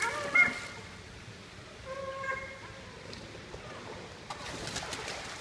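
Common murres give a brief harsh note, then a drawn-out, groaning growl about two seconds in, over steady wind or surf and a later rush of noise.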